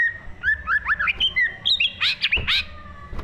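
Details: Green leafbird (cucak ijo) singing in the 'gacor full isi' style for training pet birds: rapid twisting whistles give way to harsher, rasping chattered notes, with a low thud and background rumble.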